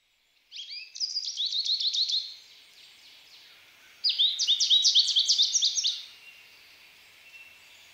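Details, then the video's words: An American goldfinch sings two bright, rapid bursts of high twittering notes and trills, each lasting under two seconds, against an otherwise quiet background. "American Goldfinch - How does the American goldfinch sing?"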